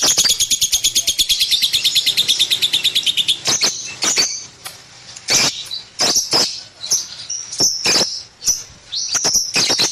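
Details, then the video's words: Lovebird kept at home, opening with a fast rattling series of evenly spaced high chirps, then shifting to scattered sharp squeaks, whistled squeals and loud clicks with short pauses between. "KiCAU BURUNG LOVEBIRD"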